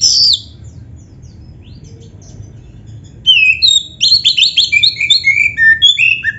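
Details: Oriental magpie-robin, black-breasted type, singing in a recording meant to stimulate caged birds: a single high note, a pause, then a lively stream of rapid whistles, warbles and slurred notes for three seconds.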